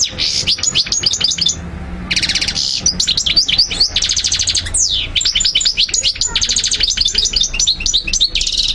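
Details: European goldfinch singing steadily to teach young birds, a nonstop tumbling twitter of fast chirps, rising slurs and buzzy trills packed closely together, over a low faint hum.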